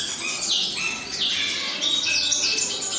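Green-winged Saltator singing busy, bright phrases of quick whistled notes that run on without pause, set against a dense high chatter of other birds.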